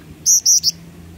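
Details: Jingjing batu, the Black-winged flycatcher-shrike, singing energetically as a tutor bird: a crisp phrase of three very high, thin whistles, the last shorter and slightly rising, against quiet low hum.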